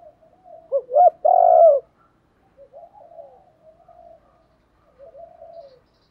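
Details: Cooing spotted dove, used as a lure for wild birds: one strong phrase of two short upswept notes and a long, rich coo, followed by a series of faint, low, wavering coos.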